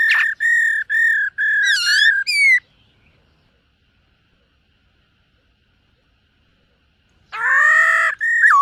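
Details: Morning voice-training song of a silver-eared laughingthrush: a string of steady whistled notes and a wavering phrase, a long silence, then a rich, harsh rising burst with a closing whistle.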